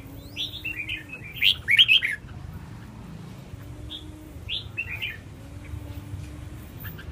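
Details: Red-whiskered bulbul song: a lively burst of quick warbled notes near the start, then a quieter phrase of two or three chirps later, with a low steady hum in the background.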